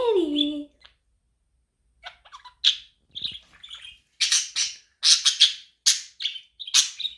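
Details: Pet budgie giving varied chirps meant to rouse a lonely companion, opening with a low descending squawk, then a pause before rapid harsh, buzzy high chirps that grow louder and denser.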